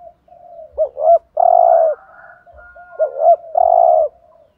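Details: Decoy spotted dove giving the 'thúc gù' coo to rouse wild doves. Two back-to-back phrases, each two short rising notes and then a long resonant coo, linked by soft murmuring coos.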